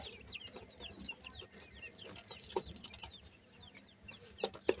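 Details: Quiet, steady chorus of high, curling peeps from francolin (teetar) chicks feeding, with occasional pecking clicks against a faint background hiss.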